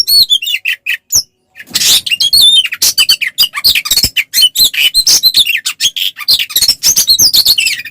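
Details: Fast, aggressive fighting song of an oriental magpie-robin, used to goad rival males into replying: tumbling mixed phrases of shrill whistles, buzzy rasps and chattering bursts, with one brief silence early on.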